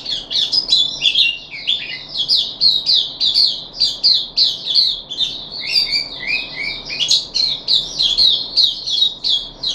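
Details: Captive puff-backed bulbul, 14 July 2021, third day of deworming, pouring out a continuous, rapid chatter of high scratchy and whistled notes with little break, over a low steady background noise.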